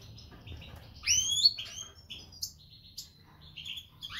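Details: European goldfinch of the Major form, brown white-headed mutation split for isabel pastel, from an isabel pastel pairing, singing scattered high twitters: a bright rising-falling whistle, then short chips and buzzy notes separated by brief pauses.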